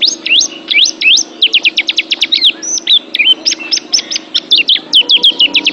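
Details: Training recording for pet birds of an oriental white-eye: energetic high song of sharply rising and falling whistled notes in quick succession, varied and nearly unbroken, with low hum behind.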